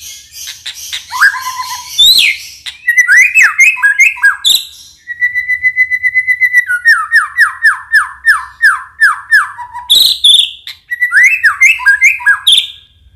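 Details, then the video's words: White-rumped shama lure song to trigger silent or unresponsive shamas and provide tutoring: varied whistled phrases, a sustained pulsed trill, then a run of repeated downslurred whistles and more chattering notes. "Suara pancingan murai"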